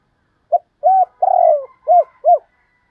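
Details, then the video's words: A single cooing phrase from a spotted dove in the Vietnamese double-coo style, hai hậu, described as gáy thúc and gáy gọi: a clipped opening note, a rounded coo, a long sliding coo, then two quick arched notes, clean background. "tiếng cu gáy thúc và gáy gọi/ Tiếng cu gáy đôi háy còn gọi là hai hậu"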